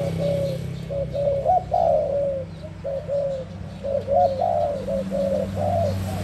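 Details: Spotted dove singing a rhythmic chain of soft coos in bursts, some notes rising and slurring downward, against a low droning background.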